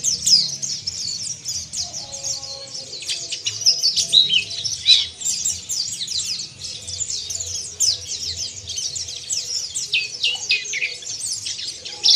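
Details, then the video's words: A pleci, or warbling white-eye, in a long burst of ngeriwik kasar, a rough twitter meant to make rival caged birds open their beaks and sing. Thin, high, rapid notes pour out almost without pause, with a faint low rumble beneath. "TERAPI PLECI NGERIWIK KASAR DAN BUKA PARUH"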